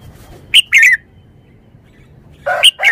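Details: Red-whiskered bulbul giving two short bursts of bright, chirpy notes, each under half a second, separated by a two-second pause, with quick rising and falling whistled phrases and a quiet background.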